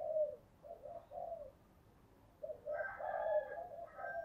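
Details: Spotted dove used as a decoy lure, cooing in a low, hollow rolling series, pausing, then resuming more strongly over steady background hiss.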